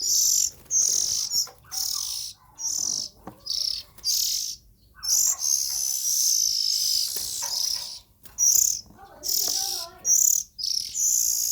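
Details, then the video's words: Young Oriental magpie-robins calling in rapid, uneven bursts: about fifteen harsh, high hisses over nearly twelve seconds, several running together, with faint softer chirps and clicks lower down between them. "Tiếng Chim Chích Chòe Than Non Kêu Hay Nhất"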